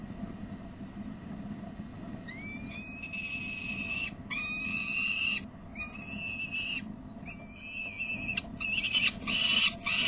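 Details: Peregrine falcon adult at de Mortel on 29 May 2009, giving harsh, grating alarm calls in long repeated bursts after a brief rising note, warning as a young bird flutters on the ledge edge; low steady hum.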